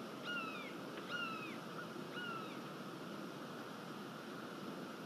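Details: A bald eagle at a Florida nest, filmed by nest camera on 22 November 2023, gives three thin, high, slightly falling whistled notes about a second apart over a steady rush of wind or surf.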